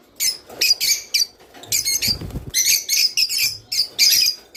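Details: Java sparrow song, meant to stimulate mating: fast, high clicking chirps and twittered phrases in repeated bursts, with a faint low rustle near the middle.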